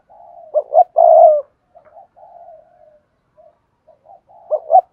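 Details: Soft, low murmuring coos lead into two sharp short coos and a long loud coo, followed by wavering quiet coos and the opening of the next phrase. A spotted dove with a hạp bổi voice, singing in Cườm Sa style.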